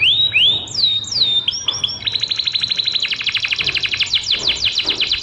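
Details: Canary training song for other birds: several clear whistled notes, rising and sliding, then a fast, even, high chattering trill of rapid repeated syllables that carries to the end.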